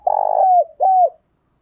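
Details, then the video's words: A decoy spotted dove coos vigorously to provoke other doves: a low, buzzy, throbbing first phrase followed after a short gap by a smooth, slightly falling coo, in a quiet setting. "Chim Cu Mồi thúc bổi rất sung"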